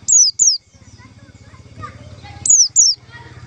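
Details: Lure call for trapping white-eyes: two pairs of bright, piercing whistles, each note gliding downward, separated by about two seconds of low humming noise and faint chirps.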